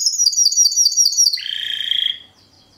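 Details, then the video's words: Classico-style Timbrado Español canary of 2013, fast, metallic and strong, sings a rapid high trill, drops to a lower buzzy roll, and fades out into quiet. "Timbrado classico FOE 2013"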